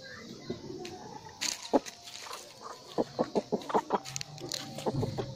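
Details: Chicken clucking in a quick run of short, sharp notes, about eight in a row, after a few scattered louder calls, over a steady background hiss.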